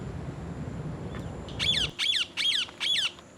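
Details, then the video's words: A parrot, one of several with one eating an apple, starts after a stretch of low rumbling noise and then gives four rasping squawks in quick succession, each sliding downward. "Parrot Eating Apple and others parrot natural sound"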